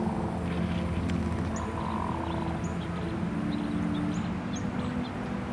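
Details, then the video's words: Male hooded mergansers, many courting a single female, give low, rolling, frog-like growls over a steady low rumble, with faint high chirps of other birds. "Hooded merganser - courtship with sound"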